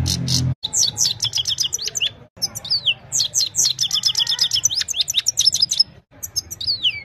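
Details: Evening song of a Himalayan goldfinch, recorded by mobile phone: lively bursts of high, sharply downslurred chirps and twittering trills, broken by two short gaps, over a faint low hum.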